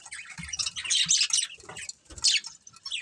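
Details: Budgies from a breeding pair give a few scratchy chirps and a sharp high note amid softer chatter.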